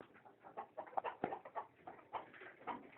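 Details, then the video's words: Country chickens clucking: a busy run of short, muffled clucks and grunts overlapping at an uneven pace, with a few louder, sharper notes near the middle and no other clear sounds. "sounds of the country chicken"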